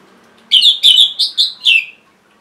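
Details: Song of a caged orange-headed thrush, meant to encourage silent birds to sing: five clear, rich whistled notes in quick succession, steady in pitch, with the last note dropping away.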